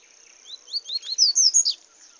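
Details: Seedeater singing in the bush: a quick phrase of about eight slurred, rising whistled notes that climb higher toward the end, lasting around a second, over a steady high insect hiss.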